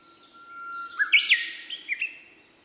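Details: Song of a male Siberian blue robin, a jumbled cluster of sharp, high chirps and slurred notes lasting about a second, followed by two softer tail notes. The background is quiet apart from a thin tone.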